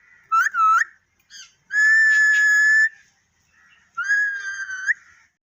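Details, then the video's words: Pure whistles from a parrot: a short dipping double note, a long flat sustained tone, then a second held whistle that lifts at the end, with quiet gaps between. "Tota Boltay Huay Kesa Lag Raha Hai _Totay Ke Awaz"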